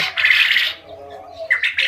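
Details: A male quail from an all-male group crows: a harsh, buzzy high burst, a short pause, then a quick sharp note and rasping phrases; the crow is used to tell males from females. No other sounds intrude.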